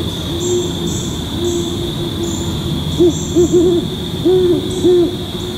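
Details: A great horned owl pair duets in October (2 October 2020, about 6:45 PM): the female hoots nearby and the male answers in the distance, deep soft hoots affirming their pair bond and territory, over a steady high insect-like hum.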